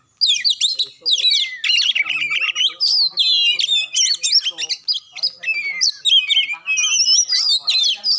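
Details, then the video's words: Oriental magpie-robin in vigorous song, played to goad a reluctant bird into singing: quick series of sweet whistles mixed with scratchy squawks and chirps, phrases repeating in short energetic bursts. "Cukup Satu Menit Kacer Susah Bunyi Dijamin Langsung Ngamuk Dengar Suara Kacer Satu Ini"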